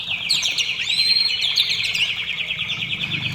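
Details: White-rumped shama song intended to lure shamas into singing: a steady, rapid, high-pitched trill of closely repeated notes held for several seconds.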